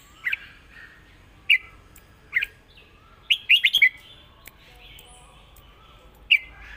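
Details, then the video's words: Red-whiskered bulbul giving a southern Thai song pattern for teaching birds: spaced single whistled notes, then a fast cluster of four ringing notes, and a final single note. "ร้อง+ริก เพลงใต้แม่บทชัดๆ วนเพลงสวย(ไว้สอนนก)#นกกรงหัวจุก"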